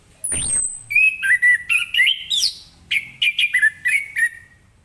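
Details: Orange-headed thrush pouring out morning song to stir other birds into singing: a whooshing sweep opens, then a fast run of short whistled notes stepping up and down, about three or four each second.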